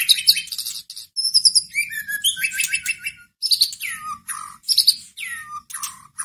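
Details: White-rumped shama song meant to excite a caged shama into singing: a continuous run of varied high phrases, fast trills, buzzy notes and clear whistles sliding downward, delivered loudly with brief gaps.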